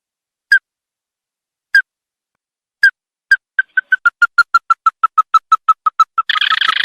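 Ruddy-breasted crake: hard, mid-pitched notes start slowly, then speed into a fast, slightly descending series, ending in a harsh burst.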